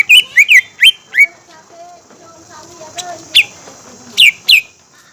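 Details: Green leafbird song used as a lure to make other green leafbirds sing and get excited: sharp, high, downslurred whistled notes in short clusters, separated by pauses with faint background hum.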